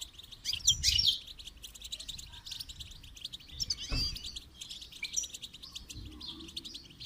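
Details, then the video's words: Goldfinch song for training: long sequence of quick high twitters and buzzy trills, with loud chirp flourishes early and near the middle, and a faint low rumble beneath. "Motivational rewards for training goldfinch to song"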